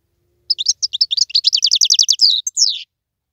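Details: Song of a wild European goldfinch: a quick burst of bright, high chirps running into a fast rattling trill and ending in two slurred downward notes.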